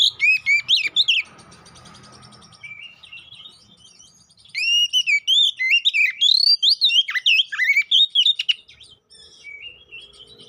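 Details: Oriental magpie-robin lure song provoking fighting; opening whistle burst, a quiet pause, then a long rapid sequence of loud rising whistles and chattering notes before trailing off.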